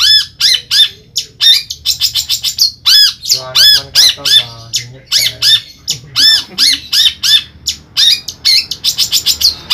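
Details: Long-tailed shrike kept as a pet in Pemalang, Central Java, Indonesia, pours out rapid harsh squawks and arched ringing notes, interspersed with dense trilled chattering runs, in an irregular, energetic stream.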